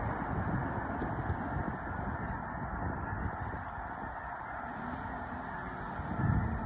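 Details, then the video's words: Large flock of snow geese lifting off on March 4 at Mobridge, South Dakota; a dense, continuous roar of overlapping honking calls and wingbeats with no gaps, swelling slightly near the end. "Snow Geese lift off"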